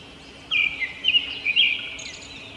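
A robin gives a quick run of high, thin chirps and warbled notes lasting about a second and a half, over a faint steady hiss.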